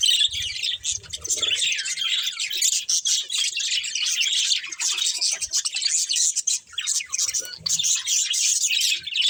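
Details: Budgerigars chirping, a dense, continuous chatter of high twittering and warbling notes with scratchy squawks mixed in, several birds seemingly calling at once without pause.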